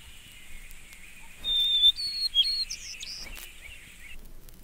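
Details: White-crowned Sparrow song: a high, thin whistled note, then a slightly lower note, and then a string of short, higher, buzzy, chirping notes. A soft, steady hiss runs underneath.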